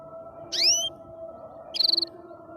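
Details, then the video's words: A canary singing happily: one bright swooping whistle followed a second later by a fast rattling trill of about eight rapid pulses, over a low constant hum. "the canary sing happily"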